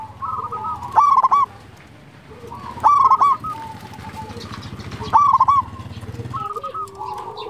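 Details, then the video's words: Local zebra dove in full song, used to lure and stir quiet doves: loud, harsh stepped cooing bursts about every two seconds, with softer staccato cooing from other doves in between. "Perkutut lokal gacor Mental juara sekali bunyi langsung bikin ribut"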